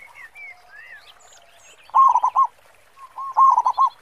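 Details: Local zebra dove singing in a strong, big 'khong' voice, kept as a lure bird: two bursts of low rolling coos, each a quick cluster of pulses, with thin high whistles and chirps of other birds in the background.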